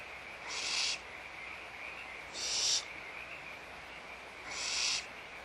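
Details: Nestling barn owls at feeding time in a nest box at Audubon Starr Ranch Sanctuary, March 2011; three rasping, noisy hisses of about half a second each, roughly two seconds apart, with a constant low electrical hum throughout.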